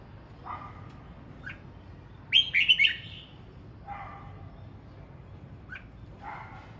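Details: Red-whiskered bulbul practising its voice: one loud burst of three quick slurred whistles in mid-clip, with softer lower warbled notes scattered before and after.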